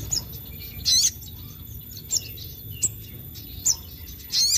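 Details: Sogon calling in a full-song session said to rile up other sogon: separated high, sharp chirps and short twittery bursts spaced roughly a second apart over a steady low background hum.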